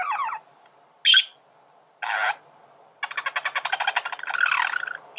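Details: Male budgie song meant for teaching birds to sing: a few separate chirps and one sharp squeak, then a fast, pulsing stutter of clicks that grows into a buzzy warble.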